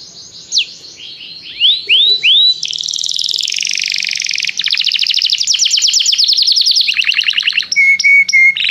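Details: During song training a canary calls its friend to sing: a few swooping whistles, then long rapid trilled rolls shifting pitch, and steady low whistled tones near the end.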